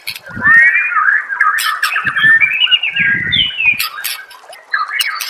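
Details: White-rumped shama master song for training: warbled, slurred whistles with harsh squawking notes, over brief low thumping and rustling bursts.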